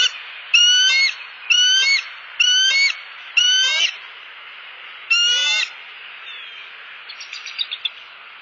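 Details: On a Southwest Florida nest cam, 30 October 2015, a perched bald eagle pair calls at an intruding eagle overhead after the male delivered a fish. Six sharp, piping, chattering bursts come roughly every second, then softer rapid chips, with constant background hiss.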